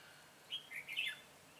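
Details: Decoy red-whiskered bulbul singing during bird trapping on 22 September 2017: one short phrase of three clear, quick whistled notes, the last one brightest and slightly rising, in a quiet outdoor setting.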